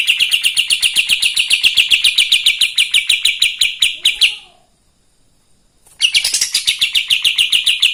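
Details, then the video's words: Kapas tembak singing to stir up other birds: a long steady chatter of rapid sharp notes lasting about four seconds, then a pause of nearly two seconds, then the same rapid series resumes. "Kapas tembak gacor paling bisa bikin EMOSI burung bahan"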